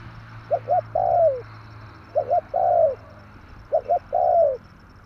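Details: Spotted dove cooing as a trapping lure, tarik akar style: three phrases, each of two quick short coos then a long soft falling coo, spaced about every 1.7 seconds, over a low steady hum.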